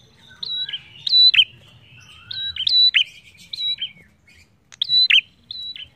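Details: A prinia, used as a lure recording to draw song from other birds, sings loud, sharp chirps and quick down-slurred notes in short bursts about every second, high and bright, over a quiet background.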